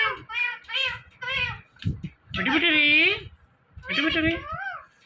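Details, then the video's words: Indian ringneck parrot, a talking pet bird, repeating a mimicked word several times in quick rasping syllables, then a longer drawn-out wavering cry and a final short phrase, indoors. "Talking Parrot Saying Mithu Mithu"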